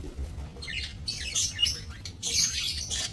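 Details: Budgerigars in a minimalist breeding aviary, recorded 28 November 2024; two quick bursts of harsh, buzzy warbling chatter with squeaky notes, separated by a brief pause.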